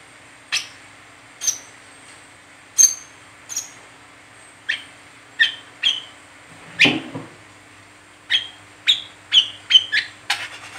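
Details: Brown-throated sunbird giving its continuous chattering 'ngeriwik teler' song, used as a lure for training other sunbirds; about fifteen sharp, high, short chirps spread irregularly over eleven seconds, coming quicker toward the end, over a faint steady hum.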